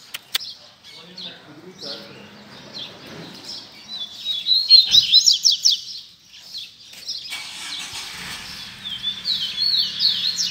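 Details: Double-collared seedeater delivering tui tui zel zel song. Scattered thin notes and low murmuring lead into a bright burst of fast whistled slurs, then quieter chirps and a second, softer run of high rising-and-falling notes.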